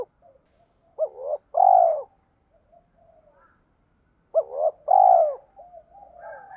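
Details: Low cooing of a spotted dove decoy, played to stir newly caught birds to answer and fight. Two phrases, each a choppy two-part opening then a sustained falling coo. Soft, distant cooing notes are heard in between.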